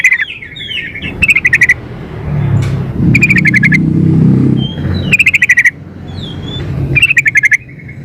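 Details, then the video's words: Female yellow-vented bulbul calling a male: four bursts of rapid, buzzy, pulsed chatter recur roughly every two seconds, with soft whistled notes between them and a low background rumble. "suara pancingan trucuk betina memanggil jantan"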